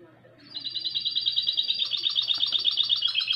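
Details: Mixto, a goldfinch and canary cross, singing in 2020: a sustained, rapid trill of sharp metallic notes begins after half a second and rolls on without pause, with a faint lower twittering strand beneath.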